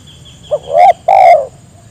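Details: Cooing phrase of a spotted dove meant to prompt other birds to call along: a short clipped note, then two husky coos, the second longer and falling away.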